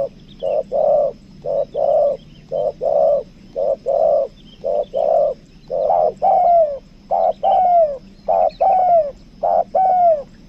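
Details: Spotted dove kept as a lure bird, a 'kuk dua' type from Lombok, giving loud repeated coos: short flat notes followed by longer falling, slurred notes, about fifty per minute, with a low steady hum behind.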